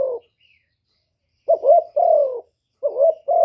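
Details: Spotted dove cooing to provoke males: a trailing coo, a short silence, then two phrases of a brief doubled note and a longer low, smooth hoot.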